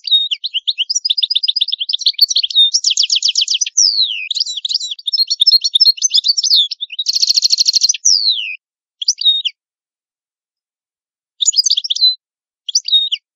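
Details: Italian goldfinch in strong song: an extended stream of rapid trills, buzzy rattles and sliding whistles for about eight seconds, then a few isolated twittering phrases after a pause.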